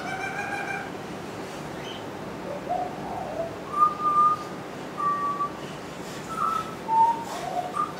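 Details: Pied butcherbirds living in Surfers Paradise, Gold Coast, recorded 3 December 2010, give clear whistled notes, short flat phrases and slurred glides. They imitate at least four other birds, including kookaburra, rainbow lorikeets and magpies, over steady background hiss.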